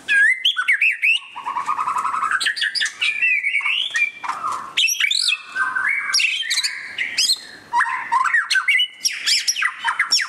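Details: White-rumped shama singing during display: a rich, varied stream of clear whistles, slurred rising and falling phrases and sharp chips, changing constantly without pause.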